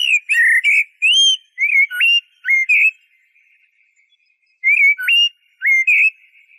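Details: Mellow whistled phrases from a Eurasian blackbird, each with a faint squeaky edge, come in a quick run. A gap of over a second follows before two more fluty phrases.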